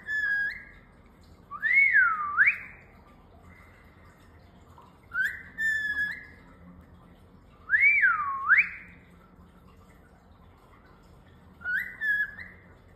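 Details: Pet male cockatiel giving a whistling response indoors: clear whistled phrases repeated about every three seconds, each a short flat note followed by a swooping falling-then-rising whistle, with quiet pauses between.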